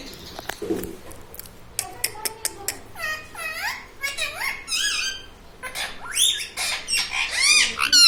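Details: Pet parrot said to call "mummy", "papa" and "radhe radhe": after a series of clicks, rapid chattering syllables, many curving upward, run together quickly and build in loudness toward the end.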